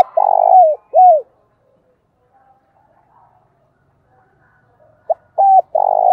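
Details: Spotted dove decoy cooing loudly to attract wild doves. Rolled and downslurred coos close one phrase. After a silent gap, a short note, a clipped coo and a vibrating coo start the next.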